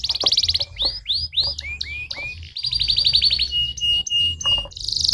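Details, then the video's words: Stimulating canary song: a buzzy trill opens, followed by a series of rising, curling whistles, another rapid rolling trill, steady flat whistled tones and a final buzzy burst, with a low background hum. "The fastest! That stimulates the sound of the canary in a matter of seconds!"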